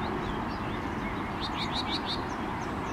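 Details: A common whitethroat on 12 May 2022 gives a brief, scratchy warble of quick, chattering notes lasting under a second, against a steady roar of wind or distant traffic.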